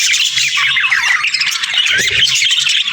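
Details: Budgerigar pairs chattering to each other, kept as pets: a dense, continuous stream of squawky, warbling chirps and scratchy notes with no pauses.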